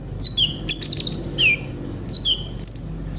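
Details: Brown-throated sunbird song used to train other birds: two-note falling whistles, a rapid high rattle, and a downward slurred note, repeated in a short phrase.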